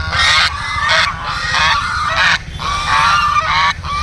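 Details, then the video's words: Ducks in a group calling loudly: harsh nasal quacks overlapping in bursts roughly every second, with hardly any pause. "Duck sound"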